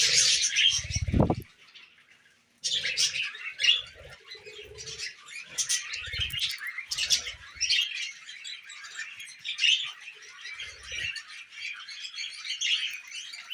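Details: Tame pet budgerigars eating millet, a flock chattering continuously with dense scratchy chirps and warbles, some low thumps and a brief loud knock near the start, then a short pause before the chatter resumes.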